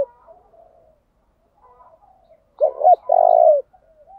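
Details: Spotted dove of the ground type, used as a decoy to spur rivals to sing and draw them in: after soft distant cooing, one clear phrase of two short bent coos and a long level trembling coo.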